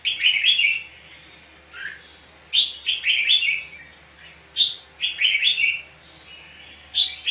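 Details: Red-whiskered bulbul in competitive fighting song, a lure bird for training others: repeated short phrases of sharp, bubbly whistles in clusters, with a lower slurred note between bursts.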